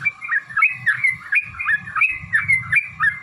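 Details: Fighting song of a Yellow-vented bulbul, meant to provoke rivals into answering: fast, liquid, warbled notes that swoop up and down, tumbling out several per second over low background noise.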